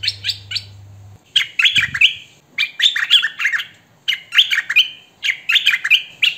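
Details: Hwamei singing in bursts, recorded by phone or camcorder, noise-free: fast, loud, fluty whistles with quick slurs and some held notes, in phrases of one to two seconds, a faint low hum at the start.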